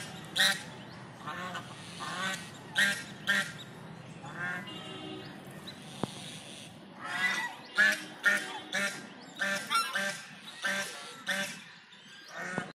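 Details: Ducks on a pond give loud, harmonic honking quacks in short bursts of one to three, repeated irregularly across the recording with quiet gaps between them.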